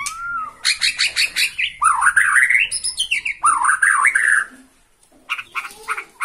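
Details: Bornean white-rumped shama excited by a rival and holding one spot, opening with a clear arched whistle, then a pulse of sharp repeated notes and long warbling, rising runs, a pause, and quick chips.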